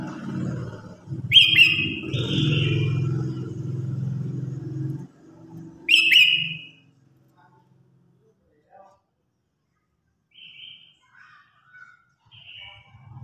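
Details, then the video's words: Red-whiskered bulbul singing competitively to summon the flock: two bright, quick warbled bursts over a low rumbling background, then scattered faint short notes after the rumble stops. "Tiếng Chim Chào Hót Đấu /Tiếng Hót Gọi Bầy Đàn"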